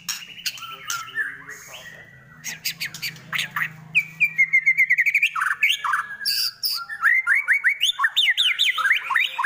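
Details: White-rumped shama (murai batu) singing a varied run of loud whistled phrases, harsh squawks and rapid chattering notes, growing busier and denser in the second half.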